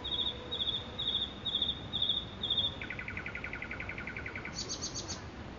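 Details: Nightingale in Makui park delivers a classic phrase: six clear repeated high whistles, then a fast rattling trill on lower notes, ending in a very high rapid trill, over constant faint background noise.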